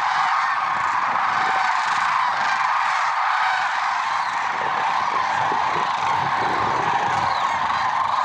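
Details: Lesser sandhill cranes at first light, Merced National Wildlife Refuge, February 2023; an unbroken wall of many birds' rolling, honking calls layered together, with no quiet gaps.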